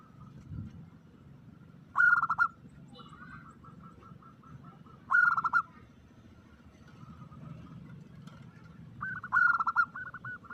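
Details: Omyokan lure call of a female zebra dove calling a male: three loud, rasping trilled bursts about three seconds apart, with quieter repeated cooing notes between them and a steady low background drone.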